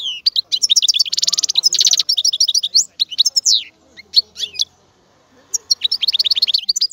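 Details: Rapid twittering song of a European goldfinch: a dense buzzy trill, then quick liquid chirps and tinkling notes, a short pause near the middle, and a fresh burst of bright twitters at the end.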